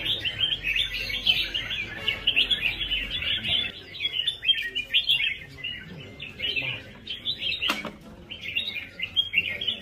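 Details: Red-whiskered bulbul in rhythmic competitive song: a run of lively chirping phrases, then separate short bursts spaced a fraction of a second apart, with one sharp knock partway through.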